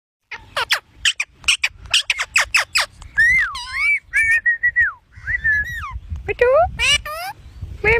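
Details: An Indian ringneck parakeet, talking back to its owner, gives a quick run of sharp falling chirps, then warbling, speech-like whistled phrases that rise and dip, ending in harsher squawky notes.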